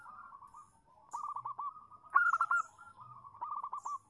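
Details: Female zebra dove calling a male, used as a lure: soft trilling coos in quick rolling bursts, repeated several times with short pauses, one burst louder than the rest, over faint low rumble.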